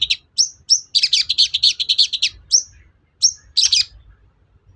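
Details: Long-tailed shrike song used as a lure to rouse other shrikes into replying and singing. Buzzy, rasping high notes run in a rapid chattering burst, then short upslurred chips with pauses between them.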